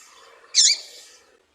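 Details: A female double-collared seedeater calls to excite the male: one short high sharp chip, with a faint soft background hiss.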